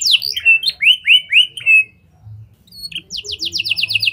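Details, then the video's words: A canary singing lovebird and prenjak style phrases as a lure for other canaries: several looping upslurred whistles, a short silence, then a quick run of high clipped notes. "Kenari Gacor Cengkok Lovebird & Prenjak! Ampuh Buat Pancingan Kenari Lain Agar Gacor Panjang"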